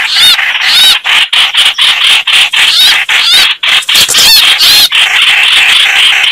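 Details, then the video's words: A scuffle between red-whiskered bulbuls: rapid, grating chatters and squeaky trilled notes in quick bursts about twice a second, close and loud. "Tiếng chim Trao Trảo(Hoành Hoạch, Chào Mào) đánh nhau"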